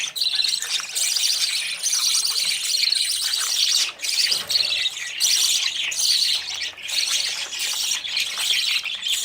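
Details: Budgerigar young out of the nest, running to parents for feeding; a constant high-pitched twittering chorus with sharp squawks and a short lull near four seconds.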